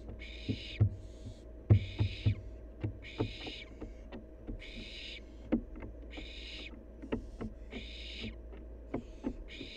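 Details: Playful wild barn owl fledgling hissing harshly, some seven drawn-out noisy screeches in ten seconds, uneven in timing, mixed with frequent crisp taps, knocks and thumps of movement, faint hum underneath.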